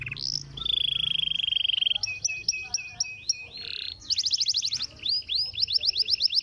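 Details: Canary stimulating song in varied tours: a held steady whistle, a rapid buzzy roll, short chopped notes, then fast repeated high trills and rising sweeps.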